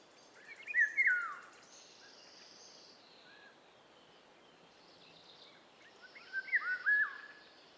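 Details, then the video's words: Eurasian golden oriole (Oriolus oriolus), a spring-and-summer visitor in Germany, gives two short, rich, fluting whistled phrases about five seconds apart, over a steady hiss of background noise. "Vogelstimmen: Der Pirol - Oriole - Oriolus oriolus"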